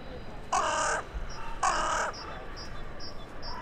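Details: In the evening of 23 January 2021, a crow resident in the middle of town calls to others coming in to roost: two loud, harsh caws about a second apart, followed by repeated soft high pips.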